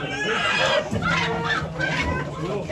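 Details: Chickens at a busy 2023 poultry auction in Ankara, Turkey, giving scattered clucks and squawks that overlap in a dense, noisy indoor din of birds and people.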